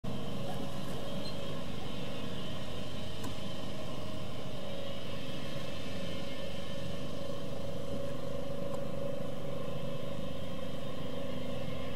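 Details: A steady vehicle engine rumble with a constant hum runs throughout, and no animal calls can be picked out.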